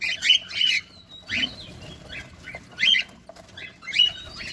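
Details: Pet cockatiels while feeding utter a few loud, harsh squawking chirps in separated bursts, with a thin whistle and quiet rustles between.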